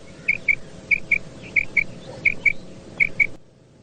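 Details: Common quail calling at night, a recording used to lure quail for hunting: clear paired whistled notes, each pair repeated about every 0.65 seconds over a steady low hum.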